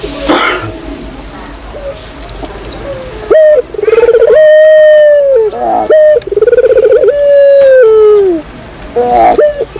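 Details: Rolling, purring trills flow into drawn-out steady coos in this Barbary dove lure call, with a faint noisy stretch before the calling begins.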